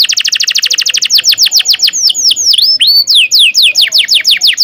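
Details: Actively singing canary with a long rolling song meant to teach young canaries: a fast even series of sharp descending notes, then slower looping downslurs and rising whistles, bright and high-pitched throughout.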